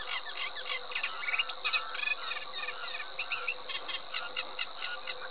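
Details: Eurasian reed warbler song of rhythmic, scratchy chirrs and clicks in quick bursts, a couple of louder accented notes midway, over a constant high-pitched buzzing background and a low hum.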